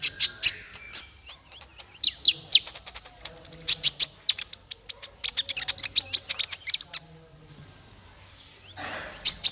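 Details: Melodious training song for small fighter birds: fast, busy high twittering and sharp chips over about seven seconds, then a quiet pause and a final burst of chirps.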